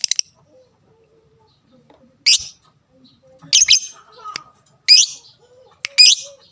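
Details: Lovebird giving its fighter sound, used to rile rivals into calling back: a few sharp, shrill, grating chirps scattered over six seconds, separated by quiet gaps, with faint low murmurs between.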